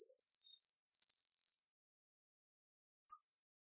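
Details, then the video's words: American Bushtit (Psaltriparus minimus) giving two rapid runs of very high, thin, lisping notes, then a short sibilant burst; otherwise quiet. "American Bushtit Song! American Bushtit Call!"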